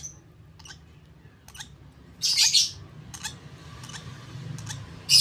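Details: Lovebird chick at 32 days old being hand-fed; soft clicks, then a loud rasping begging squeal mid-clip and another at the end, low hum throughout.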